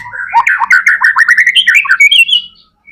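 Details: Vigorous white-rumped shama song, used as a lure to get other shamas singing: a dense, fast jumble of chattering, warbled notes climbing into a high, drawn-out whistle.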